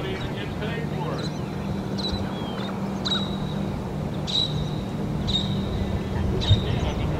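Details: Least terns at the nest while feeding chicks: clipped, piercing high notes, some drawn out slightly, repeat roughly once a second above a steady low engine-like hum.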